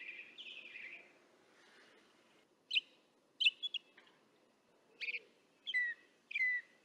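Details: Northern mockingbirds in the distance, recorded by parabolic microphone: an opening burst of raspy notes, a pause, then sharp repeated chirps and downslurred whistles roughly once a second, with faint low background noise.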